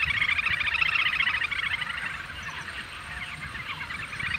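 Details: Little grebe calling: a long, fast whinnying trill of high chittering notes that slowly fades and then swells again, over a steady background hiss.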